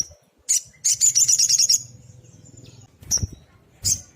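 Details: Sunbird singing persistently, recorded as tutor song for training small cage birds: a sharp high chip, then a rapid buzzy trill of high notes lasting about a second, followed by isolated sharp chips and low thumps.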